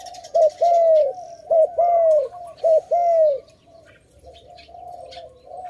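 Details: Close dove giving loud mellow coos in three paired phrases, each a brief note followed by a longer sustained hoot, then falling quiet while softer cooing from other doves continues behind, at a bird-trapping site.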